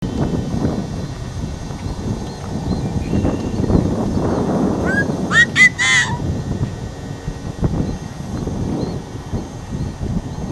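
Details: A Yellow-headed Blackbird singing at Lee Metcalf NWR gives one brief burst of harsh, rasping, squawky notes over steady low rumbling wind or traffic noise.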